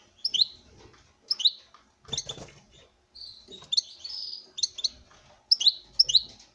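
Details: Male European goldfinch in a breeding setting, singing before a female; sharp paired chirps repeated about once a second, one drawn-out buzzy note midway, with light cage rustling.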